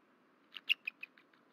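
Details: Bald eagle calling at night on a nest cam in Rome, Georgia, just after midnight; a short series of six high chirping notes, the second loudest, then fading, spaced about a sixth of a second apart.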